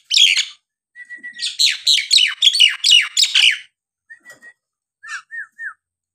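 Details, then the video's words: Vocal Nias hill myna, meant to prompt lazy birds into singing: a harsh note and flat whistle, then a fast chattering series of loud descending squawks, a few clicks, and three short slurred whistles. "jalak nias gacor!! buat terapi jalak nias bahan atau yg malas bunyi agar gacor kembali"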